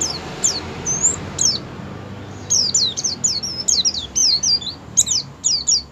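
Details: Oriental white-eye singing in the ngerol style joined with ngalas, used as a lure to get other white-eyes to open their beaks and sing: thin, very high, down-slurred chirps, sparse at first, then a dense run of quick notes.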